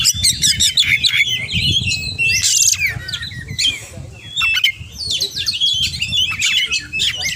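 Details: Oriental magpie-robin pouring out 'gacor' song packed with 'isian' material: jumbled chatters, squeaky whistles and a harsh buzzy burst, varied phrases running almost without pause, with low background rumble.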